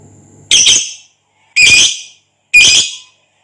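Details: Lovebird, Agapornis sp., sound recorded for training other lovebirds, described as a long 'ngekek' chatter: three harsh, buzzy rasping bursts, each about half a second long, repeated roughly once a second with silence between them.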